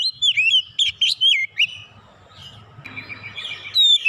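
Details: Kacer, an oriental magpie-robin, delivering isian song: a quick run of bright, wavering whistled notes with sharp upward flicks, a pause filled by soft hiss, then a final loud whistle.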